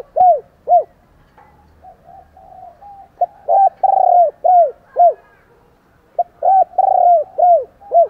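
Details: Spotted dove cooing to provoke fighting, morning calling: three loud phrases of deep, arched coo notes, each phrase with a longer drawn-out middle coo, separated by softer, quieter cooing.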